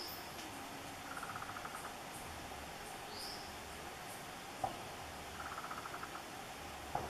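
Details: Surucua Trogon in the forests around the São Martinho area, giving two short bursts of soft, rapid mid-pitched notes a few seconds apart; thin high whistles from another bird and a couple of clicks are also heard.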